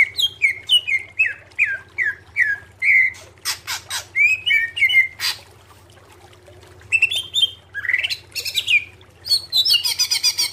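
A clear, varied song: a run of quick rising whistled chirps, then sharp clicks, buzzy rattles and fast chattered trills, delivered loudly and bright.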